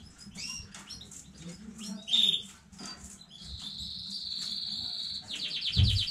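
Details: Canary of new breeding stock, recorded 15 May 2019: scattered chirps give way to a long steady high whistled note, then a quick pulsed trill, with a low thump near the end.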